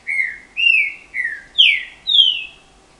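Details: Caged Green-winged Saltator (trinca-ferro), a kept male prized for its strong, loud 'canto guerreiro' song: five clear, loud whistled notes, each slurring downward, spaced about half a second apart, on a quiet background.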